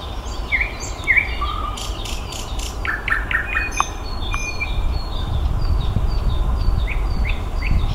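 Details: May song of a nightingale: rising whistled slurs and a short trill, then rapid clicking notes and sharp high chips in changing phrases, with steady low background noise throughout.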